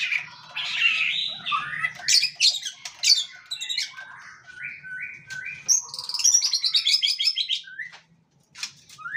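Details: White-rumped shama in full song, a champion bird in the nyosor macul-macul style: rich tumbling phrases of whistles and chips, a series of repeated falling slurs, then a fast high trilled run and a brief pause.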